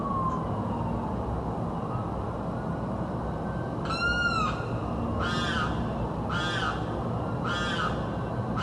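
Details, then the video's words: Bird screaming constantly day and night in South Florida: after a quiet start, four harsh, harmonic screams arrive about once a second, each briefly rising then dropping, over steady low rumble. "screaming bird"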